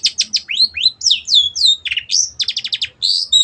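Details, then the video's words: Cendet, the long-tailed shrike, singing vigorously for a bird-training recording: sweeping up- and downslurred whistles, a quick series of short sharp ticks, then steady high piping tones. "MASTERAN BURUNG CENDET GACOR"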